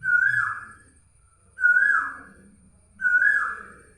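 An Asian Koel gives three loud, ringing whistled notes, each swelling then falling away, repeated about every one and a half seconds over a faint low background.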